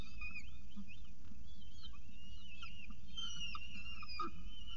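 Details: Peregrine falcon feeding on a pigeon at its CSU Orange nest, 24 October 2018 at 7:59 am; quick, bending squeals and long thin whines, with a low constant rumble underneath.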